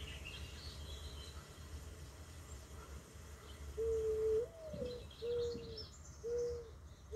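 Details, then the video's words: Mourning dove song: a low, mellow coo that swells and rises slightly, followed by three steady, soft hooting notes spaced about a second apart, with a faint background hiss and distant high chirps. "Mourning dove part 1. Beautiful bird with a beautiful song."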